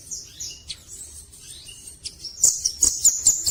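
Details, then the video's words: Velvet-fronted nuthatch: soft, high whistles and sliding notes, then a louder run of rapid, sharp, high chips in the final second. "Burung Rambatan Paruh Merah TOP PERFORM"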